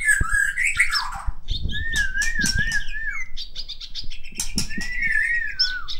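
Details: White-rumped shama from Medan singing loud, varied whistled phrases: long wavering fluty notes weave among sharp high chips and buzzy trills. Frequent dull knocks and rattles come from nearby.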